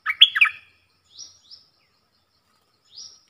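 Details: Bulbul in a cage, trading songs with wild birds, dated 3 October 2564. A loud, quick, bubbling whistled phrase is followed by three thin, high, faint upslurred notes, possibly from another bird.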